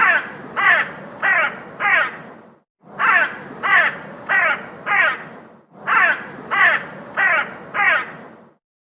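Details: A crow caws in three bursts of four harsh, raspy calls each, evenly paced within every burst, with short silent gaps between the bursts.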